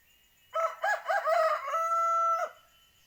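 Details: Ayam kampung rooster, a male village chicken, gives one full crow: three or four harsh broken notes, then a drawn-out level note that stops sharply, the whole call lasting about two seconds against a near-silent background.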